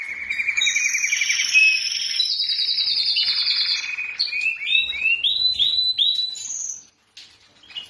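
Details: Caged white Syrian canary male courting a female: a low rolling trill, then higher and lower sustained tours, and finally a run of quick upslurred whistled notes before a brief silence.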